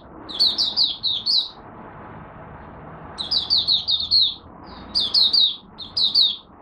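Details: First morning warm-up of a kept oriental white-eye from Malaysia: clusters of shrill, quick, downslurred chirps separated by pauses of one to two seconds, over a steady low background noise.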